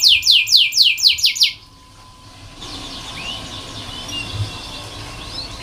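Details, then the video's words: Canary song in a training recording: five fast descending sweeps, then fainter distant twittering over background hiss. "KENARI malas bunyi, Terapi untuk kenari masteran canary"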